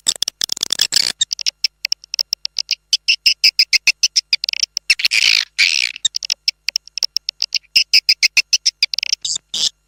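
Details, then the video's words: Swiftlet calling sound used as an external lure: rapid, high, buzzy twittering chirps in quick repeated bursts with brief gaps, like a busy roost chorus. "Swiftlet Sound"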